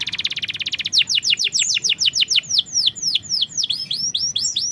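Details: Canary song meant to coax silent or young canaries into singing: a tight buzzy trill gives way to a steady series of loud, sharply falling whistled notes, about four per second.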